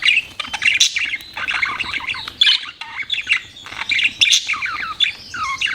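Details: Budgerigars chirping with lively, busy warbling, scratchy squawks and quick descending chirps that run almost without a break.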